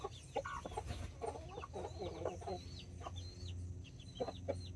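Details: Two mother hens with nine chicks, mini and Brahma breeds, in a backyard: soft low clucking bursts from the hens under a steady scatter of high, falling chick peeps.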